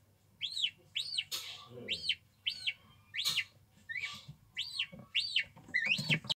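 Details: Guineafowl chicks giving high, arched, piping peeps, rising then falling. Single notes come about once a second over faint background hiss, with a brief noise burst early and a quick double peep at the end.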